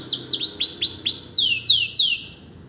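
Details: Canary in full song after its moult, a tutor bird for teaching other birds: a loud run of about nine clear, downslurred whistled notes, each given about every quarter second, ending abruptly with quiet after.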